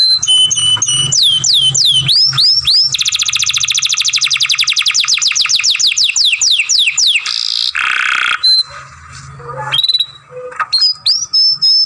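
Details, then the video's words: Captive young canary in song training mixes looping whistles with a long fast rolling trill, a grating buzzy burst, a brief pause, then resumes sharp high notes. "Young Canary Masteran, Long Sounds Grumbling"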